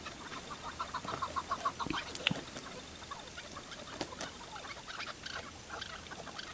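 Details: Chukar partridge, tethered as a hunting decoy: a quick run of six or seven low, clucking chuck notes, then quiet amid scattered clicks and rustling.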